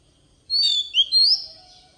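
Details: Oriental magpie-robin decoy bird singing in wild-forest style, used for tutoring young birds: a brief phrase of clear, high whistled notes, a level whistle, then a rising slurred whistle and a fading tail, with quiet low background hum.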